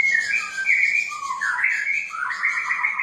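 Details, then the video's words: Straw-headed bulbul song played to encourage lazy birds to sing: a short, loud, fluty warble sliding high, dropping to a lower gurgle, then rising again in bright rolling notes, with a faint hiss above. "Suara Pancingan Burung Cucak Rowo Malas Bunyi"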